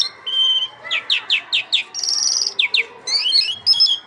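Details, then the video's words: Song of the Irani lark, locally jal mushadi: a held whistle, a run of five falling slurred notes, a buzzy rattle, then more sweeping and warbled high phrases. "Jal mushadi singing bird Irani lark"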